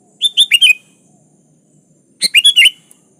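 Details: Two chirpy, fluty phrases from a sooty-headed bulbul calling out to a rival. Each phrase is four fast downslurred notes, and the phrases are separated by a long pause.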